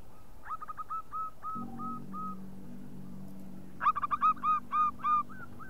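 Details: Local zebra dove lure call: a soft run of evenly spaced hooted notes, a low steady hum underneath, then a louder burst of rapid bubbling coos near the end.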